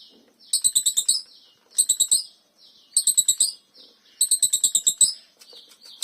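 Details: Lovebird of the Mastersn line singing in exotic style, a long ngekek chatter: four bursts of rapid, high, buzzy metallic chirps, each about half a second to a second long with short pauses between, plus a faint soft twitter.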